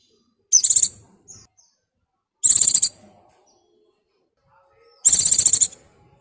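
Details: White-eye in breeding condition, calling a mate: three high, rapid, rattling trills, each under a second and about two seconds apart, in otherwise quiet surroundings.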